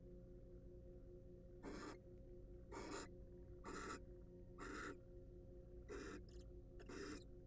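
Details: Rasping, noisy hisses from wild barn owls at a research nest box come after a quiet start, then arrive about once a second, the last two shorter and closer together, over a constant low hum.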